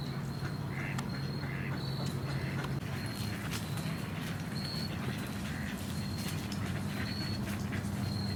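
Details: Ducks give scattered, rasping quacks in small clusters, mixed with sharp clicks and taps, brief high whistled tones repeating through the recording, and a constant low hum underneath.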